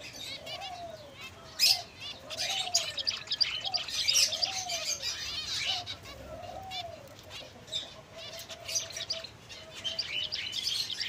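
Several finches keep up a busy, overlapping chatter of high chirps and twitters, with a soft, lower arched note repeating every couple of seconds and occasional wing flutters.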